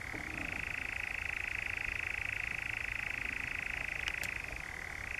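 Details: In the Brecks, Norfolk, on 7 July 2017, a European nightjar churrs steadily, the trill rising in pitch just after the start and shifting again near the end, with two faint high ticks.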